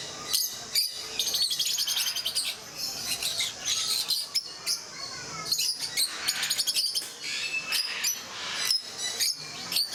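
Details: Rosy-faced (peach-faced) lovebirds in a group at Mysore Zoo, India: a dense, constant chatter of shrill high chirps and rapid squeaky notes from many birds at once, with bursts of fast repeated clicks.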